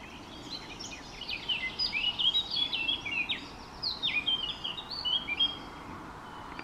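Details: Song of a Eurasian blackcap, a rich, hurried warbling of clear whistled and twittering phrases, coming in two bursts with a brief lull between them, against low continuous background noise.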